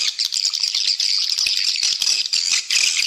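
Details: Swiftlets' lure call, played to attract the birds and increase their population: a dense, continuous chatter of high, rattling chirps and twitters with short dips in loudness.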